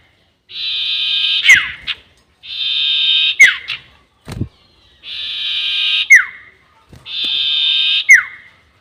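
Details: Sirtu bird lure call, long 'nyiul' style, repeated four times: each a second-long harsh buzz finished with a sharp whistle sliding downward, separated by short silences and a faint click.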